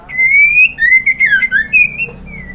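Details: A female white-rumped shama calls a male with a continuous, loud, whistled phrase. It rises gently, then bends into rapid up-and-down slurs and trails off in a softer level whistle.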